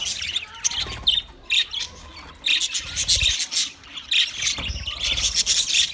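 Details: Twenty pairs of budgerigars chirping together, a steady stream of high scratchy warbles and squawks in bursts, with occasional low knocks in the background.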